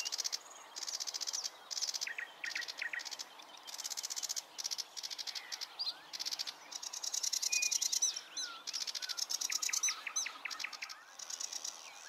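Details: A Bluethroat at Klingavälsån, Sweden, on 16 May 2022 gives short bursts of ringing, trilled and chipping notes in quick phrases over a steady high buzzing of crickets or other insects.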